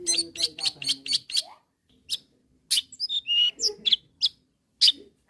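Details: Long-tailed shrike calling to rivals: a fast run of six scratchy notes, then scattered sharp whistles, chips and brief harsh bursts after a gap.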